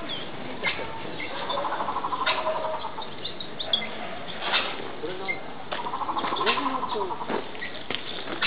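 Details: Captive vulturine guineafowl at Yumemigasaki Zoo Park, Japan, gives fast, rattling chatter in two bursts about four seconds apart, mixed with sharp clicks and steady background noise.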